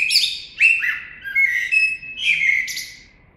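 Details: Common blackbird song of varied fluty whistled notes in quick succession, each slurring downward, with a thin high twitter near the end.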